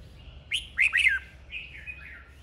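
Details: Red-whiskered bulbul singing in a duel: three loud, clear whistled notes in a quick rising-and-falling burst, followed by a softer trailing warble over a quiet background.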